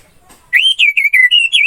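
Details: Orange-headed thrush song recorded for training cage birds: a short run of clear whistled notes, a rising first note then several steady and slightly wavering whistles in quick succession.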